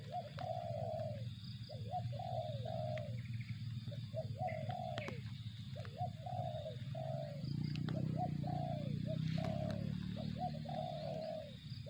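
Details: Long run of spotted dove calls: stuttered short notes and falling coos repeated steadily about eight times, over a continuous low hum that grows louder midway.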